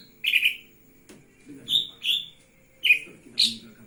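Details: Lesser green leafbird, wings spread as it sings, gives five or six ringing notes, some slightly trilled and others clean and whistled, with irregular gaps and a low background hum.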